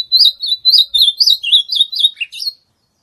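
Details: A single full ultramarine grosbeak song phrase for warming up a kept bird: around a dozen clear, bouncing whistled notes in steady succession, with a lower slurred note near the close and a faint soft thump midway.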